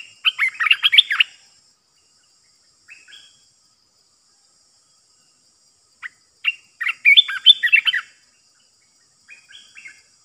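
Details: Trapping decoy of a bulbul: two lively bursts of quick, bubbling whistled chatter about six seconds apart, separated by soft short phrases.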